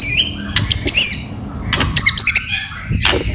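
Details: Lure recording of a white-rumped shama with loud clicking: a long high wavering whistle, then scratchy rasping notes, crisp clicks and another quavering high phrase.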